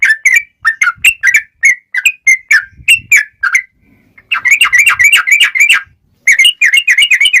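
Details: Fighting song of a male sooty-headed bulbul in long rapid-fire style: spaced whistled notes give way to dense, fast bursts of rolling, bubbling whistles, broken by short pauses.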